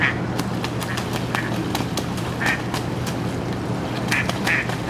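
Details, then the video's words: Mallards in Botany Pond: a green-headed drake tussles with an intruding drake while a nearby female gives the quacks, short nasal calls in bursts of two or three, over a steady low hum and background noise. "Duck fight"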